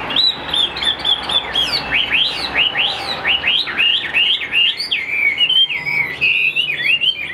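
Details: Chinese hwamei, a caged songbird, delivering a fast series of loud, clear whistled notes, each sharply up-slurred then dropping, repeated about three times a second over a steady low hum.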